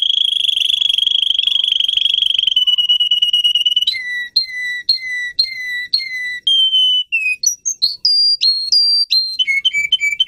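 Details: Russian canary, a bird bred for singing, performing song meant to teach young canaries: a fast, steady high trill for about four seconds, then clear whistled notes in short repeated series, dropping and jumping between tours of varied pitch.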